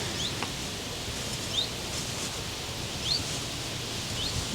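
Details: Two common chiffchaffs calling to each other in the late afternoon at RSPB Otmoor wetland, Oxfordshire, give soft, high, upslurred 'hweet' contact calls about every second and a half, over steady wind and rustling.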